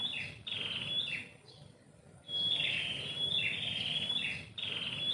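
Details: Bird singing in the morning from a yard tree beside a house, melodious high twittering phrases that stop briefly near the middle then resume in a rapid run, with a faint constant high-pitched tone behind.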